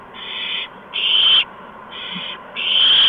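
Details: On 13 March 2015 around 8 PM, adult owls bring a mouse or gopher to each of three owlets. Four breathy screeching hisses sound, alternating softer and louder, each roughly half a second long, over a quiet background drone.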